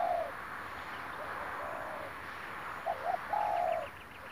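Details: Spotted dove lured by trappers on 9 March 2021, cooing softly and low: a short note, then two quick notes and a longer drawn-out coo, over a steady hiss with faint chirps from other birds.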